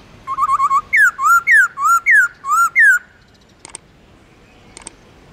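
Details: Black-throated laughingthrush (Garrulax chinensis) sings a forest-voice long slurred song. A quick run of five short whistled notes leads into clear notes that alternate between rising and falling slurs, followed by two faint clicks.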